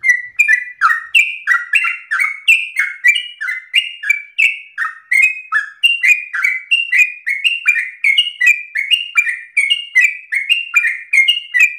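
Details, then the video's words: Sooty-headed bulbul in full, insistent song: a long unbroken chain of loud whistled phrases, each note slurring up or down, delivered roughly three per second without pause. "Trucukan gacor narung ropel ngotot paling Bagus untuk pancingan masteran"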